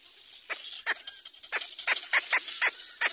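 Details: A little black cormorant chick cries for its mother to feed it with about eight short, rasping, falling squawks in three seconds, growing more insistent, over a bright background hiss.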